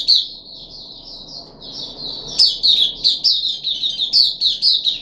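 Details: Captive puff-backed bulbul, third day after deworming, July 2021: a continuous string of high, slurred chirps, softer in the middle, then louder and choppier toward the end.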